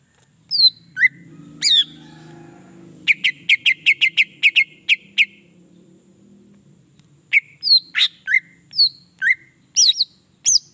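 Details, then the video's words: Greater green leafbird singing as a stimulus for other birds: scattered down-slurred whistles, then a rapid run of about ten even, clipped chips, then more whistled slurs, over a faint low hum. "PENDONGKRAK EMOSI CUCAK IJO JADI GACOR"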